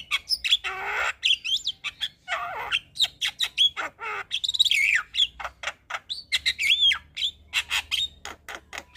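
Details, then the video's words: Javan myna in full, lively song: harsh squawks and buzzy rasps mixed with clicks, short whistled notes and sharp rising whistles, given in rapid irregular bursts. "Burung Jalak Kebo Gacor Full Isian"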